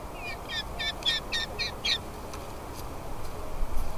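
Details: Falcon nestlings being fed by their mother; a short burst of seven quick, high, rasping chirps over about two seconds, then fading into steady low background rumble.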